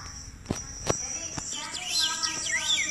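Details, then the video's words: A robin sings a run of bright whistled notes and quick sweeping slurs after a few sharp clicks, over a steady high insect-like hum. "Suara Burung Robin"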